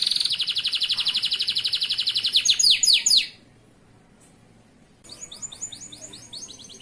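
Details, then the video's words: Male local canary, loper type, singing as a tutor for young birds: a rapid buzzy rattle-trill, then several sweeping down-slurred whistles, a brief pause, and softer quick chirping notes resuming. "SUARA BURUNG KENARI GACOR UNTUK MASTERAN KENARI PAUD"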